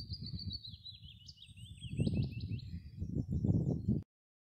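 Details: Willow warbler singing close by in strong wind: a sweet descending cascade of soft whistled notes sliding down the scale over about two seconds, with heavy low wind rumble throughout.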